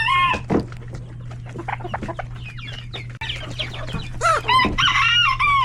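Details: Chickens, roosters and chicks crowded in a coop at hectic lunchtime feeding; loud harmonic squawking calls open and close the stretch, with scattered short clucks and thin peeps between them over a steady low hum.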